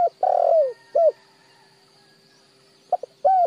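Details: A spotted dove, for training decoy birds, gives a long rough coo that drops in pitch, then a clear falling coo. After a pause, brief notes start the next phrase over a steady background hum.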